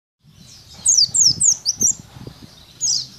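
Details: Caged Oriental white-eye (pleci) in training at a cemetery: a run of five high, thin downslurred chirps, then a short pause and one more sweeping note, over faint low background rumble.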